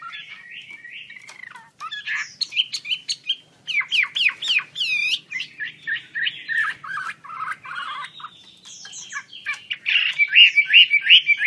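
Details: Chinese hwamei, described as wambi kembang, singing vigorously with wings opened: a rich, varied run of loud whistled phrases, with quick slurred upsweeps and downsweeps, rapid trills and ringing notes that shift steadily from one motif to the next.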